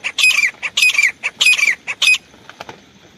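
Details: Decoy grey francolin used for hunting, giving four loud grating, screechy bursts in quick succession. The bursts fade into near quiet with a few faint ticks afterward.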